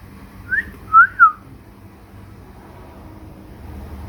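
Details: Pet cockatiel singing indoors alongside budgies: a short whistled note followed by two clear, louder whistles that rise and fall, then quiet room noise.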